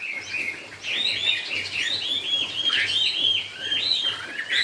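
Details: Chinese hwamei, "cao cầu" song style, delivers a continuous stream of looping, bubbly whistles that swoop and curl without pause, loud and full throughout, over a faint pulsing low hum.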